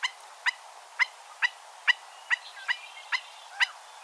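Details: A stilt gives sharp, clipped woodpecker-like 'tip' notes, about two each second in a steady series, with a crow and a red-winged blackbird calling faintly behind.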